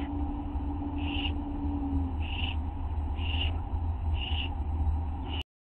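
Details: Nestling owl, 1:29 at night on August 9, 2011, during a feeding visit when a parent brings a teeny mouse; five evenly spaced short screechy hisses roughly once a second against a low hum, ending abruptly.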